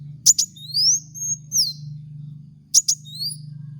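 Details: Lure recording of a Van Hasselt's sunbird (kolibri wulung) for cage-bird training: two pairs of sharp high ticks framing long, thin, slurred whistles, over a constant low droning hum.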